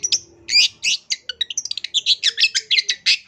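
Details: Long-tailed shrike singing actively with a full set of fill-in phrases. Fast, unbroken chatter of sharp, varied notes, rising in pace to about six per second, with a faint steady low tone beneath.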